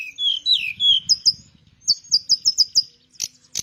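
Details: A teledekan Melayu flycatcher singing: a descending warbled whistle, then a rapid series of about six high repeated notes, ending with two sharp chips.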